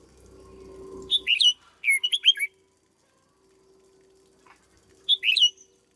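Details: Decoy red-whiskered bulbul in a cage: three crisp phrases of quick looping whistles, two close together then one after a three-second pause, with a quiet steady hum between.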